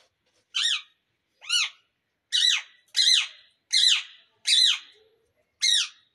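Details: Parrots kept in winter, calling indoors: seven harsh, rising-then-falling squawks roughly every second in a quiet room.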